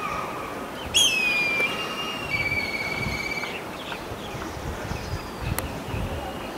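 Black kite giving a high, quavering whistle that slides downward, then a second, softer drawn-out whistle, over a steady hiss of insects.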